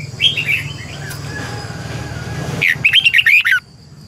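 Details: Red-whiskered bulbul decoy bird singing to train other birds: soft warbling notes at first, a stretch of low rumbling background, then a loud rapid burst of sharp whistled notes.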